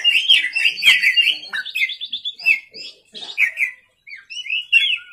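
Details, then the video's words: Energetic night singing by an Oriental magpie-robin: loud chattering phrases first, then softer, spaced whistled notes and a final falling whistle. "pancingan kacer gacor malam hari"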